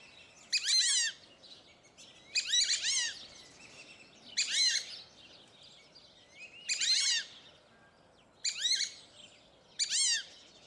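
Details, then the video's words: Fulvous whistling ducks (Dendrocygna bicolor), a sociable species, at a zoo in Upie, Drôme, France, give six bursts of thin, squeaky, wheezy whistles, each about half a second long and about two seconds apart, over a soft steady hiss. "Le Dendrocygne fauve est un oiseau sociable - Cris"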